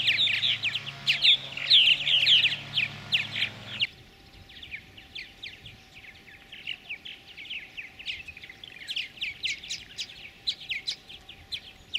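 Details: Purple martins feed chicks in a gourd nest at a colony of over 100 pairs near Lacombe, Alberta, Canada, in 2017; loud chirping twitters fade after four seconds to softer, more distant chattering.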